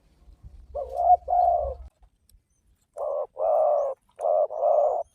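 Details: Spotted dove cooing used to entice other doves to answer: two joined mellow coos over a low hum, a pause, then a clean series of four broad, even coo notes in pairs.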